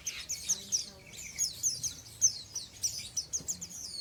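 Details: Ngeriwik twitter from a young untrained oriental white-eye: dense, high, squeaky chirps rising and falling in rapid chains with almost no pause.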